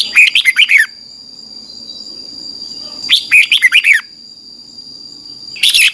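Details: Red-whiskered bulbul morning song meant to train a wild-caught bird: three lively phrases of rapid, rich chirping notes spaced about three seconds apart, with a constant high-pitched tone behind.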